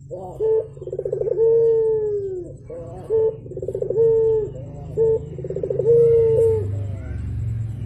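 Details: Javan turtle dove, a morning call: short sharp notes alternate with long purring, trilled coos that slide slowly downward, repeated about every second or two, over a low constant hum.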